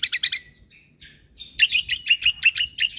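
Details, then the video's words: Cucak kombo singing for caged-bird training: quick buzzy chirps, a brief pause, then a dense run of bright, high, repeated notes with a whistled tone running through them. "Cucak Kombo Gacor Untuk Masteran Burung"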